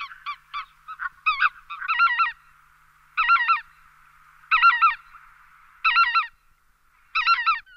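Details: Lesser white-fronted goose, called after the squeak it makes in flight, giving a few quick thin squeaks, then spaced double-noted yelps recurring roughly every 1.3 seconds, each crisp and high.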